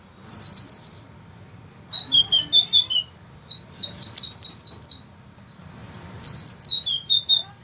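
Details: Rapid, dense sunbird song for songbird training: high piercing trills broken by short pauses, mixed with lower descending twittered notes and scattered single chips.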